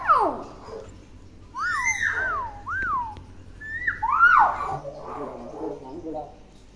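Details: Tame common hill myna known for copying many words: a sharp falling note, then a series of looping whistled syllables rising and falling, and a strong slurred whistle fading into softer chatter.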